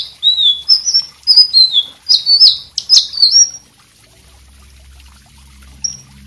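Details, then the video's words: White-rumped shama singing vigorously, used as a tutor song for other birds: a run of clear, high whistled notes, some sliding up or down, for about three and a half seconds, then quiet with a faint low hum and one last short whistle. "suara selendang biru gacor"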